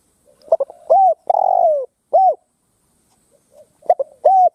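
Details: Ground decoy spotted dove calling to lure wild rivals to fight, giving stuttering clipped notes that lead into a long descending coo and a short arched one, then a pause before the phrase starts again.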